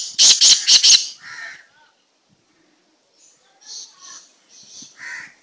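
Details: Unusual slate-grey black francolin producing four loud, harsh, high-pitched rasping bursts in fast succession, then a lower squawk, a pause, and a string of quieter high calls.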